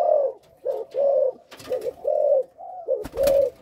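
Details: Spotted Dove breeding male of Malaysian origin, caged and under test, producing stuttering three-note-lead coos: steady, soft, low hoots about once a second, with a couple of brief rattling noises.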